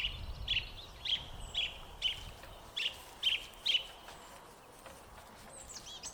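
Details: Song thrush singing near bird feeders on a foggy day: short, bright, clipped notes repeated about twice a second for four seconds, then fading, over a low background rumble.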